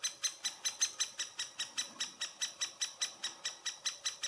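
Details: Great spotted woodpecker, nest site at Furuberget, Hamar, Norway, summer 2017, handheld Panasonic Lumix FZ2000: rough, buzzy rasps repeated rapidly and rhythmically, about twenty in just over four seconds, in a quiet setting.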